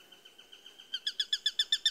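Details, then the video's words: Eurasian sparrowhawk call: a quick row of thin notes swells into loud, sharp kek notes repeated about eight times a second or so in a short burst. "Sparrowhawk Bird Call"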